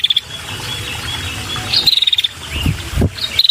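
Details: Female red-headed prinia giving lure calls for males: a few quick, evenly pulsed high trills spaced irregularly, over a soft continuous background hiss and some low thumps.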